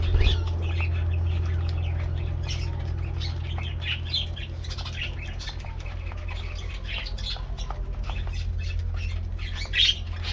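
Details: A colony of colorful budgies in an aviary getting a morning treat: continuous overlapping chirps, squeaks and warbles from many birds, with a loud steady low hum underneath.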